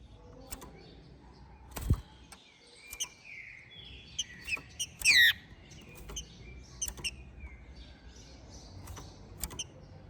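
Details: Captive-bred, ringed green-winged saltator from Minas Gerais singing after its moult; one loud, descending, slurred whistled phrase near the middle, with scattered clicks and knocks around it.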